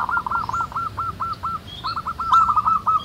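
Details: Wild local zebra doves in lively chorus: a run of short, rapid, clipped cooing notes repeated in two quick bursts, with faint high chirps of other birds behind.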